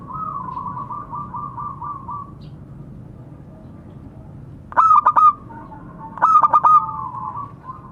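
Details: Zebra dove, a local bird, calling to others: a soft rolling trill of coos opens, then quiet, then two loud clipped bursts of three or four notes close together near the end.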